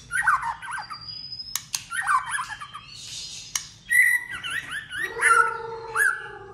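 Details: White-rumped shama singing competitively in many voices: varied warbled and whistled phrases, some dropping in pitch, others with a sustained lower tone, separated by short pauses and click sounds.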